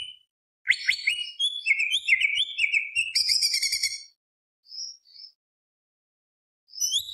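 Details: Greater green leafbird with a varied run of jumbled whistles and buzzy notes for about three seconds, then two soft high whistles and a fresh burst starting at the end.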